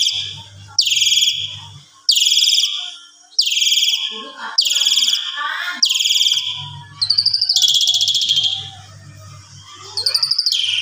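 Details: Asian pied starling singing in the evening, used to train other birds; five loud raspy phrases, then softer mixed whistles and a rapid buzzy trill, with a low hum in the background.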